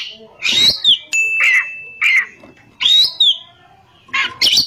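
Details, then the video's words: Oriental magpie-robin in ngerol and nembak song: slurred falling whistles alternate with a long, flat, pure held note, then loud harsh bursts at the end. "kacer gacor ngerol,nembak"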